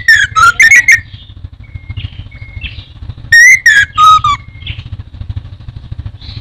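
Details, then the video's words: Singing orange-headed thrush from Indonesia: quick twisting whistled notes, a few soft thin whistles in a gap, then another loud burst of sliding whistles, all over a continuous low hum. "Burung anis merah teler teler keterlaluan"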